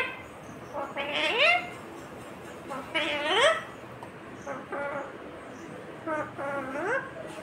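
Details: Talking green Indian ringneck parrot producing slurred, rising speech-like phrases with bright harmonics, three main bursts spread across the clip with quieter chatter between.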